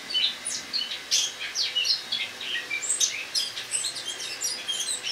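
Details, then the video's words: Caged Eurasian blackcap giving autumn song in a kitchen where it is kept for winter, morning of 1 October 2017: a steady stream of rapid, scratchy high twitters and chips mixed with brief whistled notes. "Осеннее пение славки-черноголовки (Sylvia atricapilla)"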